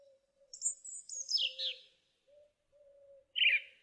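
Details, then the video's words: Song thrush song: a high thin squeaky run sliding downward, a pause, then a harsh rasping note, over a soft steady low hum from another source. "Thrush bird song"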